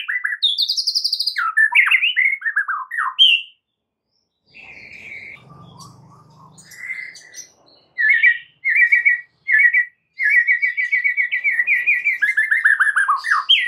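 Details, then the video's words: White-rumped shama master song for getting caged shamas to sing along; varied loud whistles and falling slurs, a short break with faint low rumbling, then repeated rattling trills and rapid chattering phrases. "murai batu AKAN EMOSI dan IKUT GACOR dengan MASTERAN murai batu ini"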